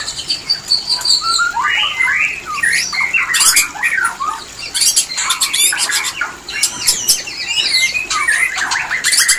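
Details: Loud white-rumped shama mating call used to spark breeding condition, made of varied slurred whistles and harsh squawks broken by sharp clicking bursts, steady throughout.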